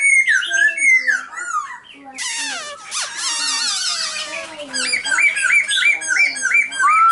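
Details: Varied singing from a silver-eared laughingthrush: slurred whistles, a burst of harsh grating notes, then a run of repeated rising whistles.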